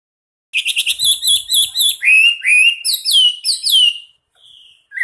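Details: A national champion Chinese hwamei sings a loud, varied song: a quick stuttering burst of high notes, then rich slurred whistles that swoop downward, over about four seconds.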